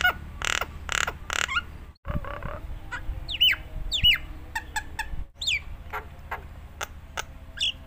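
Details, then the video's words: Nias hill myna giving a varied song, meant as a master for other mynas: three harsh broadband squawks, a short low grating burst, then scattered whistles and sharp downslurred notes, with a low hum throughout. "suara burung jalak Nias gacor full isian paling handal untuk pancingan masteran semua jenis jalak"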